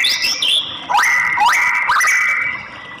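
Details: Short burst from a female white-rumped shama used to excite males into singing: high thin whistles, then two or three quick upward-swooping notes that level off into sustained clear whistles.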